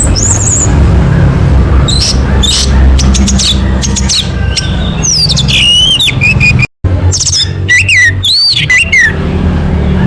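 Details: Lure song of an orange-headed thrush meant to make another bird sing, with varied sharp whistles, rising and falling slurred notes and short rattles, briefly cut to silence midway, above a steady low droning background.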